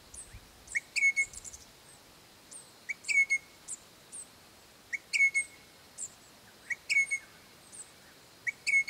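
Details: Crimson Rosella pair calling their young ones near home, long-term residents of the property; bright bell-like whistles with flat and slightly falling notes and quick high chips, in bursts roughly every second or two, with quiet surroundings.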